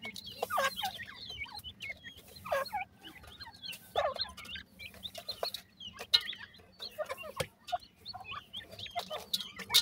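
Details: Two newborn black francolin chicks, known locally as Sindhi partridge, giving high thin peeping chirps with slurred downward notes in irregular bursts, mixed with sharp clicks and knocks and a steady low hum.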